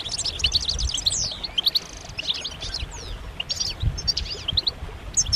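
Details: A European goldfinch chorus of mating and readiness calls, used to draw males out of silence into song. Busy high chirps and twangy twitters come thickest in the first two seconds, then in scattered bursts.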